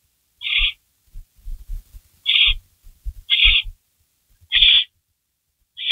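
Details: Barn owl making loud, grating hiss calls during a nighttime rabbit delivery, May 16, 2012, 3:53 AM; five bursts, the middle ones close together, with frequent low thumps and rustling from movement.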